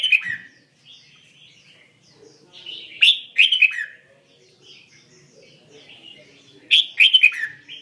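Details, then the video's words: Red-whiskered bulbul mixed-voice song, tạp giọng Songkon: bursts of bright, clipped chirps about every three to four seconds, with softer warbled notes between them. "Chim Huế tạp giọng Songkon"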